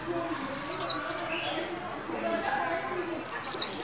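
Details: White-eye in a cage trained to sing at new year, giving two high falling whistles, a pause with faint twitters and a voice-like murmur, then three more quick descending whistles.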